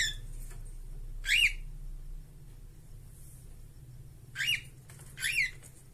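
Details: Two cockatiels in a cage: three short whistled notes, each rising then falling, spaced a few seconds apart over a steady low hum.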